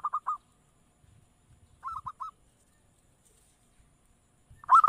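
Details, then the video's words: Local zebra dove, used as a lure to make other doves answer, giving short bursts of quick staccato cooing notes, three to four per burst, with long quiet gaps and a louder phrase at the end. "Suara Perkutut dengar langsung NYAUT"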